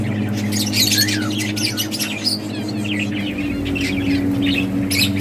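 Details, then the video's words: Playing budgies from a breeding setup chatter in quick, rapid chirps, about four per second, with irregular warbling notes; a steady low hum continues underneath. "Budgies playing and chirping"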